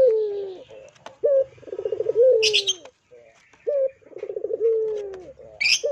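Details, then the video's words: Lure cooing from a puter dove: a brief upslurred note leads into a throbbing rolled coo and a sliding, descending drawn note, phrase given twice, with a few sharp high chirps from another bird. "PANCINGAN PUTER GACOR"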